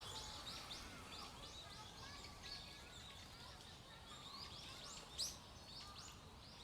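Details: Birds calling at the stream garden of Aoba no Mori Park on 27 November: many quick high chirps and short rising-falling notes overlap steadily throughout, one sharper louder note near the end, over a soft low background rumble.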